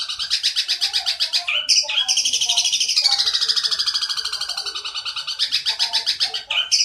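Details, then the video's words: Long-tailed shrike song used as a tutor recording for young birds, filled with long chattering house sparrow phrases and a 'kuntilanak' sound; rapid buzzy rattled notes, then a long descending scratchy chatter, ending in harsh bursts. "masteran cendet isian mewah, kombinasi suara gereja nyerecet panjang dan kuntilanak"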